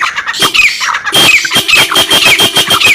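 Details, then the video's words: Female black francolin giving the male-exciting call: fast run of short, scratchy squawks with a faint high whistle, many notes per second after a brief opening note. "Black partridge Mix voice/کالے تیتر کو مست کرنے والی آواز"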